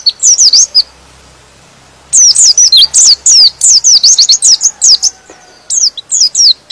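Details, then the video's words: White-eye song said to provoke other white-eyes into agitated, lively singing: a short burst of high, sweet twittering notes, then a long fast run of rapid chirpy whistled phrases, each slurring down, with a brief pause before more. "Suara Pleci ini bikin Pleci Lain Emosi dan ikut Gacor"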